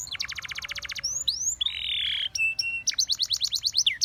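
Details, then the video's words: Brief burst from a Russian singing canary, song meant to seduce other canaries: quick trill, rising sweeps, a buzzy note, level whistles, then rapid slurred notes. "A Special Canary to Seduce All The Canaries - The Russian Singing Canary"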